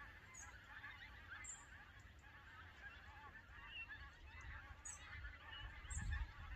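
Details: Migrating flock of Canada geese at Lambwath Lakes, Aldborough: many overlapping nasal honks run throughout, with a few short high squeaks on top and a steady low wind rumble underneath.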